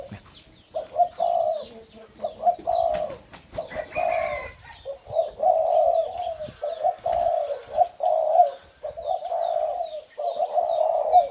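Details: Caged male spotted dove of the Thai 'sai din' line, twin of the sire, crowing while walking and hopping: a series of low, mellow coos in rhythmic groups, with hand claps heard early on.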